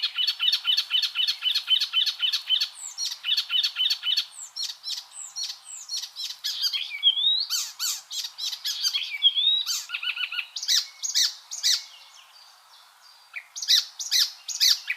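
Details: Icterine warbler singing a long varied song: a rapid stuttering series of dry repeated notes, then sweeping whistles, harsh chatters and scattered sharp chips, with a brief lull before bursts resume.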